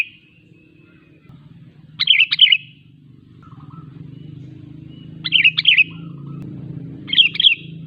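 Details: Sooty-headed bulbul singing to lure wild bulbuls closer: three short bubbly phrases of fluty notes spaced a few seconds apart, over a steady low hum like passing vehicles.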